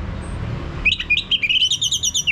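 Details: Orange-headed thrush song used as a lure to make a male sing ngeplong. After low hum, a lively stream of bouncing whistled notes repeats about five per second, rising slightly then falling at the end.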